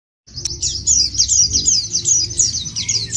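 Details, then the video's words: White-eye singing as a lure to set other white-eyes singing: a fast, high, twittering warble of tight, rapid notes running unbroken, over a steady low hum. "puter ini jangankan pleci burung lain aja pada gacor"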